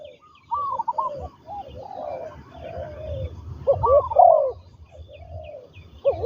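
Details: A trained decoy spotted dove in ground-luring practice gives soft rolling coos that build to a loud throaty burst near the middle. Another bird's thin high calls run through the background.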